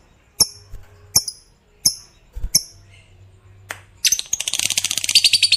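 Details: Fighter-type lovebird: a few sharp, separate high chirps, then a fast buzzy trill of rapid repeated notes in the last couple of seconds.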